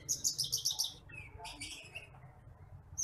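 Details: Branjangan apung (titimplik) bush lark of rice fields, a training recording for other birds: a fast run of bright, high-pitched pulsed chirps, then softer scattered notes and a faint low hum.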